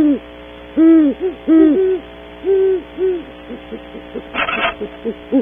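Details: Pair of great horned owls visiting a cavity in the early morning at Audubon Starr Ranch, California, captured on a cavity camera: a series of deep, arched hoots, some louder and longer, others short and softer, with a brief noisy burst near the end.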